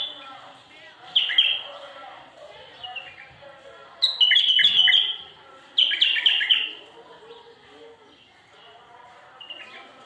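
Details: Loud bulbul song in repeated bursts of bright, slurred, warbled notes separated by quieter chattering, strongest phrases near the middle, then a soft tail of low twittering.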